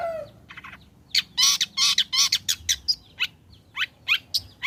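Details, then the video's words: Lure recording of a long-tailed shrike singing to draw song from other shrikes: a low falling whistle, then loud bursts of rasping chatter, followed by quick upward-sweeping notes. "Burung Cendet Gacor Selepas trotol PANCINGAN CENDET AGAR BUNYI"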